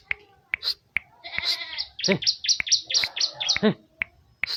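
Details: Bar-winged prinia, known locally as ciblek, giving a fast string of high, piercing chirps in the middle, with scattered clicks and nasal, voice-like sounds before and after.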